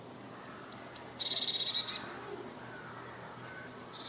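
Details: Eurasian blue tit song of sharp, very high thin notes that break into a fast, dense, buzzy trill lasting about a second, followed after a pause by softer high notes and a brief lower trill.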